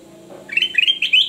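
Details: Loud male kutilang emas song: after a low hum, a burst of quick, warbling whistled notes begins, repeated and slightly rising toward the end.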